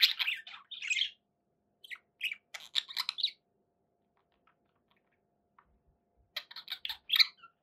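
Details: Budgerigars indoors with short bursts of scratchy chirps and clicks separated by long silent stretches, a livelier burst at the end.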